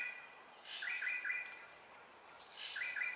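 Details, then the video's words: Just-fledged Crimson Sunbird chick in Singapore calling so its parents can find it, later fed by its mother; two quick bursts of three short bright chirps over a steady, high insect drone. "Cute Baby CRIMSON SUNBIRD calling, feeding by Mummy"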